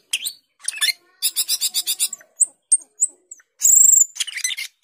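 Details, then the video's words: Asian glossy starling (cucak keling) in full varied song: short rising notes, a rapid run of buzzy pulsed notes, isolated sharp squeaks, then a long piercing high whistle followed by scratchy chatter. "Cucak keling gacor teler"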